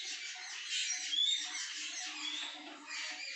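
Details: Mynas screaming loudly in the morning after crows knocked a myna down, with drongos and jungle babblers also gathered: a dense, harsh, continuous chorus of scratchy squawks and chatter, with few clear tonal notes.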